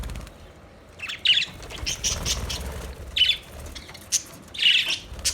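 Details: Budgerigars give short, separated bursts of harsh chirps and squawks about once a second, with soft fluttering and low background rumble between.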